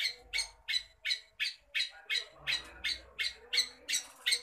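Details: Long-tailed shrike calling vigorously: harsh, scratchy squawks repeated steadily about three times a second, twelve in a row, with the last few running closer together and a faint low hum in the background.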